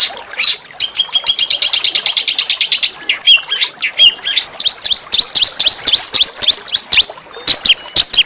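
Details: Small songbird singing a harsh yet melodious master song meant to spur white-rumped shamas and oriental magpie-robins to sing. A fast buzzy high trill of rapid repeated notes gives way to scattered sharp chirps and whistled slurs.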